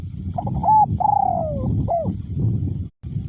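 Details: Caged spotted dove kept as a decoy bird with a small-to-medium voice, cooing in strong wind: a short note, a long drawn-out falling coo, then a hooked closing note. Low wind rumble throughout.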